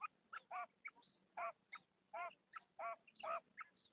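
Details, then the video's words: Calls of a female common quail, or batair: bright nasal notes with bent, ringing harmonics, repeated about every half second, with short sharp notes in between over a faint steady hum. "Female batair volume 35"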